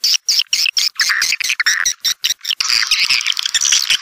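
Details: Swiftlet calls: quick, high, chattering chirps in a rapid broken series, merging near the end into a continuous squeaky twitter.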